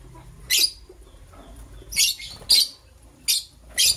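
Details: Green and blue lovebirds chirping while preparing for egg laying: five short, harsh, very high chirp bursts at uneven intervals over about four seconds, with quiet pauses and a faint low hum between them.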